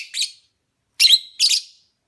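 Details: Opaline parblue lovebird giving a buzzy high chirp, then a harsh note that draws out into a thin held whistle before a final shrill chirp.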